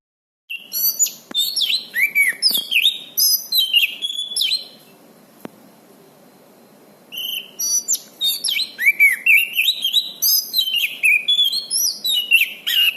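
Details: Orange-banded thrush singing, recorded as master material for tutoring cage birds: long jumbled bursts of sweet whistles, trills and sharp chirps, broken by a two-second silence before another dense run of varied notes.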